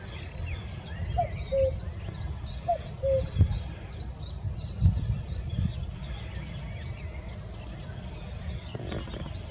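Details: Common cuckoo at Abcoude, Netherlands, on 4 May 2024: two soft, low, hollow falling 'cu-ckoo' calls while other birds chirp high and busily over a low background rumble.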